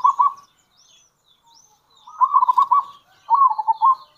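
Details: Local zebra dove giving kerot and bekur calls, used as a lure for other zebra doves; three low rolling, stuttering coo phrases, the first short, the next two longer with a bubbling trill and a clipped ending.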